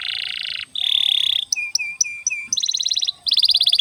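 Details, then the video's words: Domestic canary song meant to get young or silent canaries singing: a buzzy roll, a long steady ringing whistle, short repeated clipped notes, then fast pulsing trills. "Pancingan Kenari gacor panjang untuk masteran kenari paud & terapi kenari macet bunyi agar gacor"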